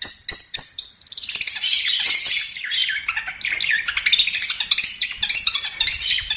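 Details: Long-tailed shrike (cendet) in lively tutor song for caged birds: a few sharp, clipped chips open into a fast, continuous rattling chatter of scratchy notes, about four per second.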